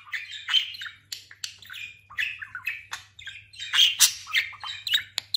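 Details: Recently molted, fattened talking budgerigar chatters steadily in a stream of scratchy squeaks and warbled chirps, with a soft low hum beneath.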